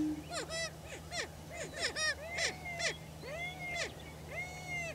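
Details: Greater prairie chickens at a breeding lek in Washington County, Kansas, displaying for territory; a rapid series of harsh, arching cackles and whoops with bright overtones, several birds calling over one another, a brief low boom at the opening.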